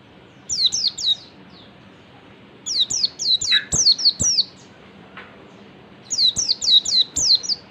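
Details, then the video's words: Lure recording of an oriental white-eye singing ngalas: three bursts of three to six thin, descending whistled notes, separated by pauses of about one to two seconds. "pancingan pleci ngalas PLECI MANAPUN AKAN LANGSUNG MERESPON DAN NGALAS"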